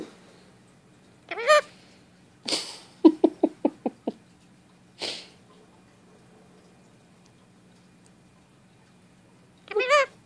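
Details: Pet male Indian ringneck parakeet chattering at length in his random talking; scattered squawks and a rapid run of short clicking notes over a steady low indoor hum.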